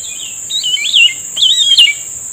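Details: Grey-bellied bulbul singing back at a lure during trapping: two rapid warbling bursts of twisting whistled notes, separated by a short pause, with a constant high-pitched insect hum behind.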